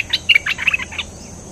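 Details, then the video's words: Cream-vented bulbul with a hurried jumble of short, chirpy warbling notes packed into under a second, overlapping one another and fading out at the end. "Suara pikat merbah lekir gacor"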